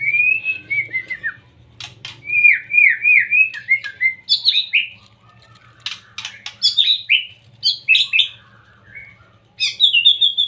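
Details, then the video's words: Young white-rumped shama in varied song used to provoke other shamas into singing: quick runs of falling slurred whistles, grouped in bursts with short pauses, ending in a higher sustained note. "PANCINGAN murai batu muda 100% AMPUH,bikin murai malas bunyi langsung naik emosi"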